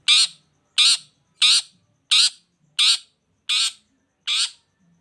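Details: Long-tailed shrike in strong voice, meant to draw silent shrikes into calling: seven loud, harsh, scratchy rasps given at an even pace of about one every two-thirds of a second.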